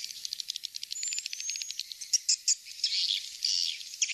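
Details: Swiftlet lure call recording meant to attract swiftlets: rapid high ticking trills giving way to thin whistled notes and buzzy chirping bursts, busy and continuous throughout.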